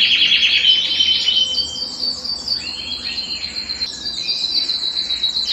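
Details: Belgian canary song for warming up males and preparing hens to breed: a quick pulsing trill first, then a string of scratchy, varied notes and short rolls at shifting pitches.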